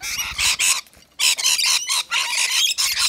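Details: Rainbow lorikeets, native Australian birds, feeding on a wet nectar mix at a balcony feeder; harsh, raspy screeches in dense bursts, broken by one short pause before the chatter resumes.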